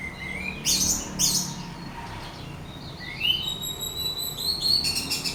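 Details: Orange-headed thrush singing, played to goad a rival into song: a rising whistle, then loud buzzy bursts, then a series of upslurred high notes and chatter.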